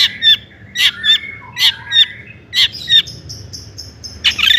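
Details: Long-tailed shrike singing to draw other shrikes into song; paired harsh notes repeated roughly every second, mixed with sliding whistles and a brief series of thin repeated tones near the end.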